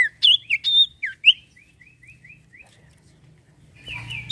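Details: Iora, or sirtu, singing as bait to make other birds sing: loud swooping whistles, then a soft trail of short repeated falling notes, and a final buzzy phrase.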